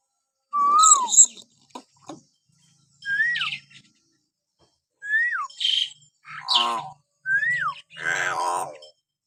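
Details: Common hill myna giving natural whistles to provoke pet mynas into calling: a series of falling whistles at intervals of about two seconds, alternating with harsh chattering squawks.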